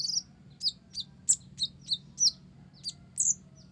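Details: Blorok-type olive-backed sunbird singing energetically, with learned Java sparrow material: about a dozen bright, high, separate chirps and slurred whistles, roughly one per third of a second, some sweeping upward, against a soft steady low hum.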